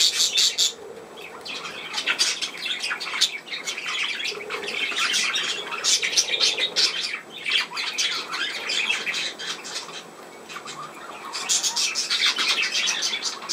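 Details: Budgerigars recorded 17 November 2024, keeping up a long dense stream of scratchy chirps and squawky chatter with short whistles, easing off briefly near the end before rising again.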